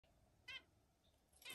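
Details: Zebra finch; mating call; courtship during mating attempts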